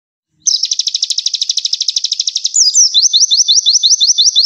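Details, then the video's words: Olive-backed sunbird (konin) song recorded as a master for training other songbirds, in the rapid 'tembakan' style: a fast, high buzzy trill of evenly repeated notes, then a series of quick rising whistled slurs, with no background noise. "Masteran Konin Gacor Full Tembakan"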